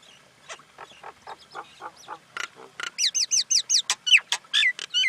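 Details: Common Indian myna calling: low clucking and gurgling notes build into loud, rapid whistles, with many looping, rising-and-falling notes and harsh chattering bursts near the end.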